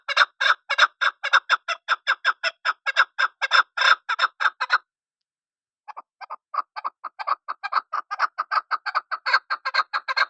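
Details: Loud, fast chuck-chuck-chuck chattering of a chukar partridge, a dense run of notes, a short gap, then a softer series that builds in volume again.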